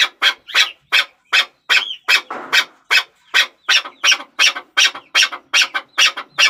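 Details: Rasping, repeated chuck-chuck calls of a chukar partridge, evenly spaced at nearly three per second, with one brief noisy scuffle partway through.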